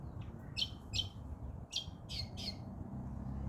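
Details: Lorikeet calling alone: a run of six harsh, screechy squawks, each short and buzzy, spaced roughly every third to half second, over a steady low rumble of background noise.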